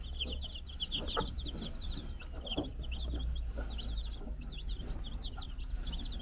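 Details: Four-day-old chicks scurrying about a Czech farm beside their brood hen chirp rapidly in high, clipped notes, often several at once, with faint low taps and a constant low drone.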